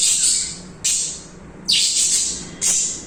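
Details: Budgies calling with four harsh, hissing screeches about a second apart, each loud and abrupt, then fading, with quiet gaps between.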